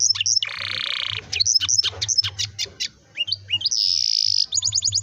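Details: Canary singing a rolling song used as a lure for young canaries that sing too little; whistled notes, a harsh buzzy burst, scattered sharp chirps, then another buzz and a fast trill.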